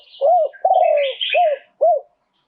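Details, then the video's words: Live cooing of a Spotted dove in a two-kuk style: four warm, arched hoots, the second stretched and wavering, with a thin wash of high chirping from other birds running above the first three. "โยน 2 กุก คารมเด็ด เสียงนกเขาใหญ่ ขันสด"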